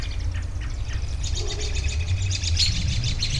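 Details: Songbirds outdoors, chirping: short high twittering notes in quick irregular runs, louder toward the end, over a steady low rumble of background noise.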